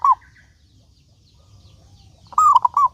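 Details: Local zebra dove singing to draw other doves into song: a short coo at the start, then after a pause a full phrase of rolling coos ending in a separate final note.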